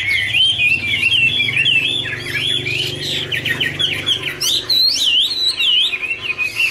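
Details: Chinese hwamei warble song from dancing birds singing in duet, with rolling wavy whistles and sweeping slurs, later sharp high rising notes, sung continuously and loudly.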